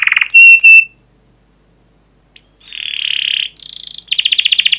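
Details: Canary singing to prompt other canaries: a short buzzy trill and clear whistles, a silent gap, then a soft rising buzz and a fast rolled trill.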